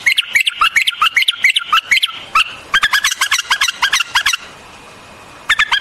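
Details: White-eared bulbul, also called white-cheeked or Iranian bulbul, singing: quick rhythmic runs of bright warbled notes, then a pause and a final short burst.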